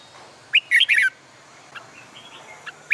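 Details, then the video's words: Red-whiskered bulbul singing in summer sun, used in training for song contests; a loud burst of three or four fast warbled whistles, followed by quieter chirps and a final bright note. "CHIM CHÀO MÀO HÓT GIỮA NẮNG NGÀY HÈ"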